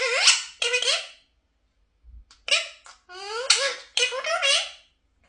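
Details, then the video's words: Pet parrot talking, saying "mama" in a bright, nasal, human-like voice, repeating two-syllable sounds in short bursts separated by brief pauses. "parrot 🦜 mama 👩‍🦰sounds"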